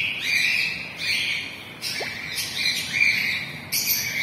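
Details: Gray and lutino cockatiels giving repeated drawn-out, grating mid-high calls, roughly one every second, some rising at the start. They sound over a steady hiss of background noise.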